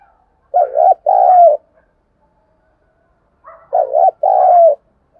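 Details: A spotted dove calling as a lure to provoke rival birds: two deep double coos about three seconds apart, each a brief bent note then a longer sliding coo, otherwise quiet.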